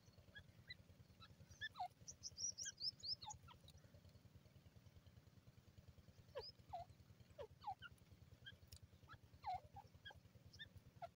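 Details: Scattered grey francolin calls, each a short coarse note falling steeply in pitch, repeated across the clip; a brief flurry of high bird chirps near the start and a steady low rumble underneath.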